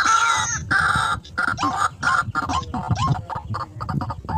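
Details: White-breasted waterhen in a rice field, lured and approaching quickly: loud harsh croaking notes with strong harmonics, repeated in an uneven rapid series, some with short upward hooks, over low rumbling background noise.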